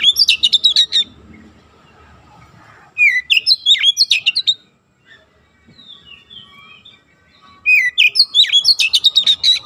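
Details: Training recording of oriental magpie-robin song, with dense rapid bursts of sharp chirps and whistled notes at the start, around 3–4.5 seconds and from 8 seconds, plus softer descending whistles in between.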